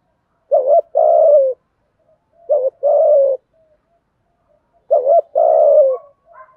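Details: Male and female spotted doves coo in a continuous run used to urge practising birds to call. Three phrases come about two seconds apart, each a brief dipping note joined to a longer, mellow, gently descending coo. Quiet between phrases.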